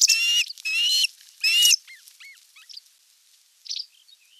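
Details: Osprey at the nest, 27 June 2022, during delivery of a whole fish for dinner; three loud sustained whistled calls open, followed by faint scattered chirps and near silence.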